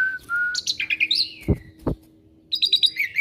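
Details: Kept Asian pied starling, a bird that readily learns other birds' voices, opens with flat piping whistles and a falling slur, then two dull thuds, then a fast series of high repeated chirps.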